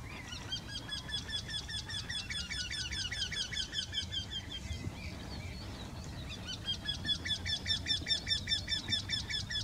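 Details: Eurasian wryneck song from two birds in one tree: long runs of evenly repeated, nasal, ringing notes, a brief pause midway, then the series resumes louder, with low background rumble.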